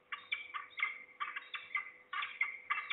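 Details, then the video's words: Falcons in Trzebież, Poland, 2 September 2019 in mid-afternoon, at least two birds with one close and below; rapid chattering bursts of rough, nasal notes run together in clusters almost without pause. "We hear at least two falcons (closer, below)."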